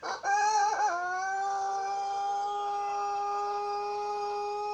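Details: White Pelung rooster crowing: after a brief wavering start, a long, steady, drawn-out tone is held for about four seconds at an even pitch in a quiet room, with no other clear sounds.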